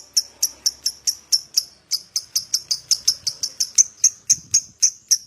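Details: Lovebird prompt recording to spur other lovebirds to sing: a steady train of short, piercing high chips, roughly four per second, with slight irregular spacing.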